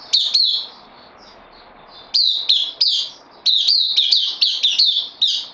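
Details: Recorded 12 September 2020, a caged bulbul on loan as a newcomer utters a short double chirp, a long pause, then a rapid run of bright, high, down-slurred notes, about eight in quick succession.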